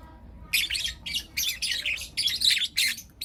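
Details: Lutino lovebirds, four young birds, chirping in the morning: after a quiet start, rhythmic bursts of rasping chirps follow one another roughly every third of a second.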